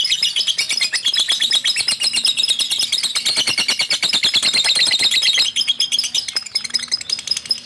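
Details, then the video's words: Male lovebird of the fighter type, caged, giving a long, rapid chatter: high, harsh, squeaky notes pouring out in a fast, uneven stream that slightly softens near the end. "lovebird fighter gacor"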